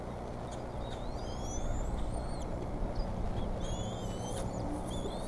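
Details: Bald eagles at the Decorah nest on 19 May 2014, an eaglet once again getting the fish at feeding time; thin, high whistled squeals slide upward in scattered bursts over a steady low hum.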